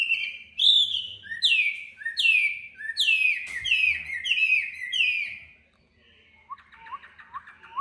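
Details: Competitive song of a tame Chinese hwamei kept in Hanoi: strong downslurred whistles repeated about once per second, then softer quick twittering notes trailing off.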